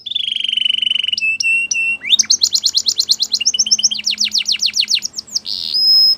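A Belgian canary sings a fast, varied song: a long high rolling trill, then quick chopped notes, rapid rising sweeps, and a closing thin whistle.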